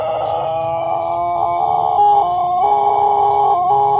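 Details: Pelung rooster from Plered, Purwakarta Regency, in the middle of a long crow: a loud, sustained, richly harmonic tone with small pitch steps and wavers running through the whole stretch.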